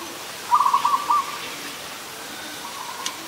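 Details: Adult zebra dove in Ubon Ratchathani, Thailand, 24 December 2020, uttering one phrase of quick staccato coo notes ending in a short slurred note, followed by a fainter, softer coo.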